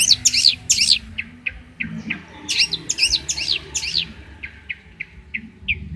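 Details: Champion long-tailed shrike from Banyuwangi, sung as a training model for caged shrikes: loud, scratchy chattering phrases alternating with thin, evenly spaced single whistled notes.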